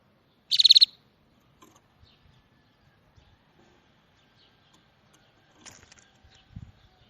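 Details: A small bird delivers one short burst of fast, high pulsed notes near the start, followed by several seconds of quiet with only faint ticks and a soft low thump.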